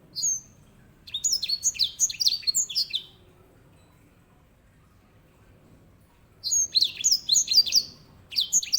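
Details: Edel sanger, the grey singing finch kept as a master bird for canaries, gives two bursts of bright, high, slurred whistles and trills, parted by a silent gap of several seconds, with faint low background rumble.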